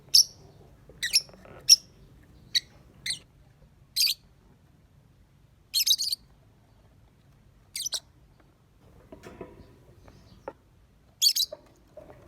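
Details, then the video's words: Lovebird praised as pretty and good at singing, repeating short, piercing high chirps and buzzy double notes roughly every half second to second over twelve seconds, with light clicking sounds behind. "Love Bird Cantik Pinter Nyanyi"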